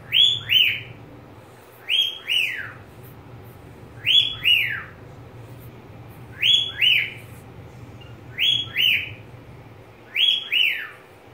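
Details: Pet budgerigar repeating a two-note whistle, both notes sliding downward, six pairs at roughly two-second intervals over a faint low background hum.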